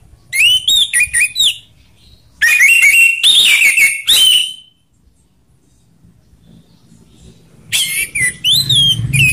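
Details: Three bursts of orange-headed thrush song, rough and slow styles meant to provoke other birds: sliding whistles with harsh notes, separated by quiet spells, with faint low background noise during the last burst.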